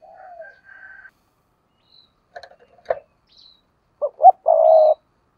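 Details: Spotted dove used as a decoy, giving intense thúc gù cooing. Near the end comes one loud phrase of two short notes and a sustained rolling coo, after softer murmuring notes and faint clicks.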